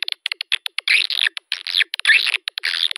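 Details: Swiftlet lure call meant to attract swiftlets: rapid dry ticking clicks interspersed with dense bursts of buzzy, chattering twitters, several short volleys within a few seconds, no other sounds.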